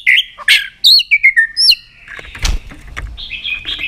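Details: White-rumped shama singing, played to excite other shamas: a quick series of bright whistled notes stepping downward, then rustling and knocking noises with faint high whistles at the end.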